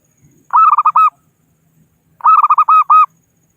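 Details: Local zebra dove from the wild, calling to rival birds as a lure for trapping: two compact bursts of five or six round, mellow cooing notes, the last note of each held slightly longer, separated by silence.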